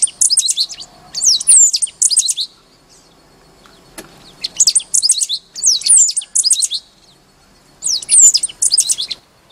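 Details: Great pampa-finch recorded at Laguna Diario, Maldonado, Uruguay, on 29 February 2012; loud high buzzy-scratchy phrases of rapid descending notes, about half a second each, repeated in pairs with short pauses, over a quiet background with one sharp click.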